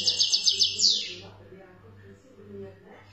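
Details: European goldfinch, Algerian recording, giving a short, fast series of sharp, high chirps that ends in a buzzy falling note, followed by quiet background with a low hum.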